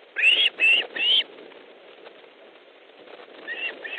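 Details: Osprey at its nest in Estonia on 3 August 2014 at 15:30, during a fish delivery as a second bird arrives: three loud, harsh whistled yelps in quick succession, then quieter rustling and two fainter calls near the end.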